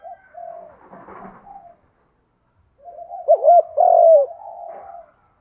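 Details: Spotted dove, male and female, lure recording for training birds: soft mumbling, a pause, then two looping coos and a long sliding coo trailing into murmurs.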